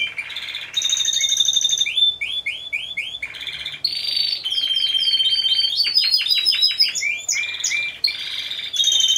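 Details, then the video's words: Timbrado Español canaries entered as a four-bird team at a 2015 song-canary show. Bell-like held whistles alternate with series of swept notes and quick rising notes, separated by short pauses. "2ος Διαγωνισμός - Έκθεση Καναρινιών Φωνής Timbrado Español"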